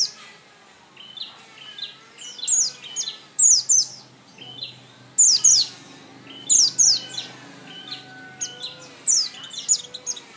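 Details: Oriental white-eye giving bursts of high, thin, falling chirps in quick pairs, each burst followed by softer lower notes, with faint background tones and hum.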